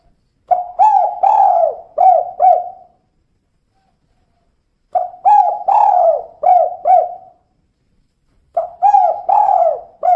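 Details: Three phrases from a female spotted dove in the "kuk 2" style. Each is a run of four or five mellow, slurred coos, repeated roughly every four seconds with silence between.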